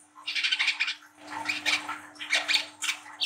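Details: Brown-throated sunbird, a young speckled singer in ngriwik style, used to stimulate young birds. Rough, raspy, high chirps pour out in dense bursts of about a second each, with short pauses between.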